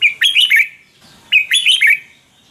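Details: Thai Red-whiskered bulbul song for exciting or training caged birds: two lively, bubbling phrases of quick whistled notes, each lasting under a second, with a short quiet gap between them.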